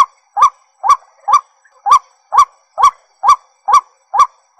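White-breasted waterhen giving a loud, nasal, slightly rising note repeated steadily about twice a second; no other sounds stand out.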